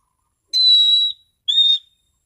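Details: An orange-sided thrush singing in the clear, relaxed 'ngeplong' style: two long, level, pure whistles, the first held nearly half a second and the second shorter, against silence.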